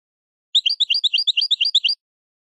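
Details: European goldfinch maknin phrase meant to tutor young goldfinches: a clean, evenly spaced string of about twelve bright, high chirps, each paired with a lower soft note, over one and a half seconds.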